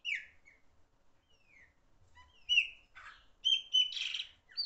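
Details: Loud-singing Chopi blackbird delivering a few downslurred whistles followed by gurgling notes and a rough, noisy, buzzy outburst with sharp whistled accents.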